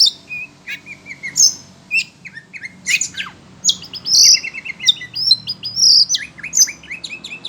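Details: Oriental magpie-robin (kacer), kept in a cage and excited by hearing other birds, gives loud sharp high chips, buzzy notes and short whistled trills in a lively, irregular stream.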